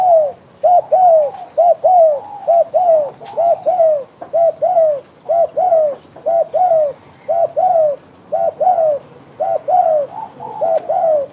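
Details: Spotted dove singing actively in bekur style: a steady, loud series of mellow arched coos, roughly one phrase each second, with faint clicks in the background.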